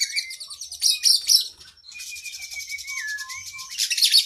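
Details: Oriental magpie-robin (kacer) in lively, long-phrased singing used as masteran training song for cage birds: dense buzzy high chatter in bursts, then a thin sustained whistle line sliding down, ending in another loud scratchy burst.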